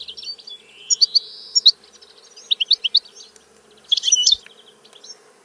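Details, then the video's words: European goldfinch song: high twittering notes with a long rising buzzy slide near one second, scattered chirps and a dense burst of trills around four seconds, steady low hum underneath. "Canto del Cardellino - Song of the goldfinch"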